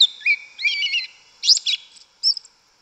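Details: Wild yellow-legged thrush singing in Brazilian woodland: bright whistled notes and rapid warbled phrases in short bursts, some notes sliding, separated by brief pauses, over faint continuous high insect-like hiss.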